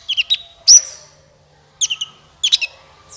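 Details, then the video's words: Sunbird call used as a trapping lure: clusters of two or three quick high chirps, one sharp bright whistle, separated by short silences. "SUARA PIKAT BURUNG KOLIBRI NINJA MANTAP SUARANYA JERNIH"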